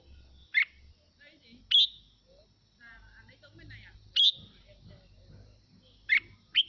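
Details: Red-whiskered bulbul song meant to stimulate singing in other birds. Loud, isolated whistled notes come a second or more apart, with faint softer sounds between them.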